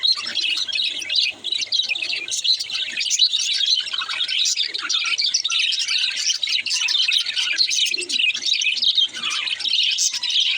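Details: Baby budgerigar warbling without pause, rapid high tweets and chattering notes layered into a constant busy chorus.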